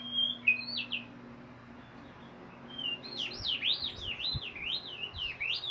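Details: White-rumped shama singing in ngeriwik style: a short high whistle, then a fast run of zigzagging, slurred whistled notes rising and falling, about three per second, over a faint steady low hum.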